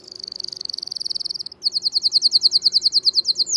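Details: Canary song: a fast, even trill of high thin notes for about one and a half seconds, then a brief pause, then a louder series of sharp chirps repeated about five times a second.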